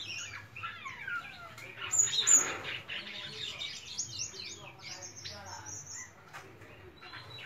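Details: White-shouldered starling warbling a varied, rambling song of high chirps, downslurred whistles and squeaky notes, loudest near the middle and thinning toward the end.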